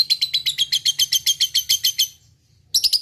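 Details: Lovebird in fighting mood delivering a long 'ngekek' chatter: rapid, shrill repeated notes for two seconds, a brief silence, then the chatter starts again, over a faint low hum.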